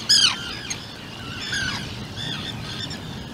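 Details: A two-day-old Atlantic puffin chick in its burrow on Seal Island gives thin, high, downslurred peeps, about four in three seconds, the first loudest, over a faint low rumble.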